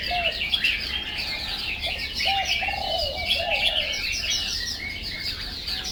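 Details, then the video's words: Chinese hwamei (Ban, Chang Wei) singing a fast, busy run of high chirps and slurred notes, with a few lower whistled phrases weaving through a dense background of chirping. "Ban (Chang Wei) Bird singing"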